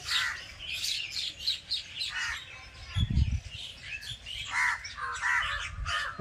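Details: Village birds chirping: bright clustered twitters and short whistled notes in bursts, one low thump near the middle, with faint background rumble.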